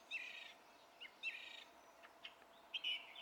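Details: Song thrush, recorded 27 April 2016, delivering a rich, buzzy-edged phrase twice with short pauses, broken by brief high chips, then a new whistled phrase.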